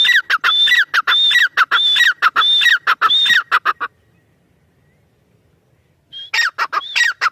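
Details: Loud partridge (teetar) phrases of rasping notes, each crowned by a clear level-then-falling whistle, repeat evenly for about four seconds. Silence follows, then the calling starts up again near the end.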